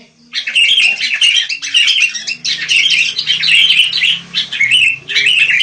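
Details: Wild sooty-headed bulbuls chattering in a steady stream of bright, bubbly phrases, nearly continuous over six seconds, over a faint low background rumble.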